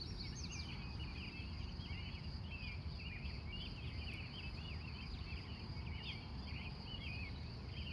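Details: Busy dawn chorus of wild birds recorded live in Glendive, Montana, USA, from 3:45 a.m.; dense, overlapping twitters and trills run without pause above a steady high drone and rumbling background.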